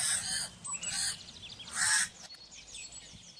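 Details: Crow giving three harsh, raspy caws, each about half a second long, with a brief pause between them, followed by faint chirps of smaller birds in the background.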